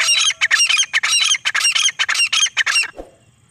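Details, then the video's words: Desi teetar francolin in full voice, rapid harsh chattering phrases hammered out in tight rhythmic bursts for about three seconds, then cutting off into quiet. "Desi Teetar ki boli || Desi teetar ki Awaz ||Teetar calling"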